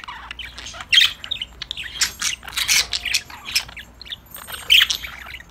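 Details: Happy pet budgies chattering to each other as they play: rapid, buzzy, scratchy chirps in uneven clusters, with a few louder squawks standing out.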